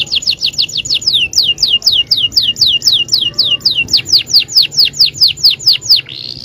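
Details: Yellow canary singing a fast run of downslurred whistled notes, about three to four per second, high and even, closing with a short buzzy roll.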